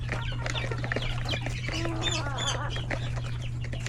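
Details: Hectic feeding time in a chicken coop with roosters and chicks: a dense chorus of overlapping short clucks and peeps, with one clearer wavering drawn-out call midway, over a constant low hum.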